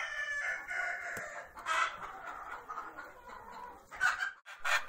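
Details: Before laying an egg, a hen gives her song: drawn-out raspy cackling notes, followed by sharper loud squawks and clucks near the end, with a sharp tap and some background rustle.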